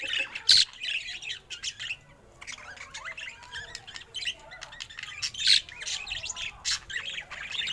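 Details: Pet budgerigar, said to look happy, chattering steadily with rapid chirps, squeaks and short warbled phrases, punctuated by a few loud sharp clicks.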